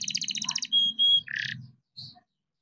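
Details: Young farm-bred canary in full song, heard as a short burst of rapid trills, then two pure whistled notes and a buzzy phrase, with faint low background rumble.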